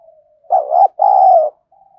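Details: A single loud phrase from a decoy spotted dove in the 'thổ' voice style, harsh enough to provoke wild doves. A short two-part note runs straight into a long, steady, throaty coo, with faint low cooing before and after.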